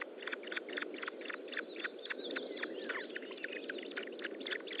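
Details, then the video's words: Feeding-time calls of an Osprey at its nest, 25 June 2012, late morning: rapid, sharp chirping notes repeated almost four times a second without pause, fairly loud, with a steady hiss behind them. "ESTLAT Osprey Nest - Feeding II. part"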